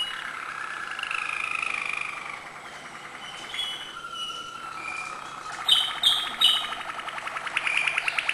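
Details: Malinois canary giving acute notes: soft sustained whistled trill, a low level tone, then sharp high notes and a loud fast rolling trill.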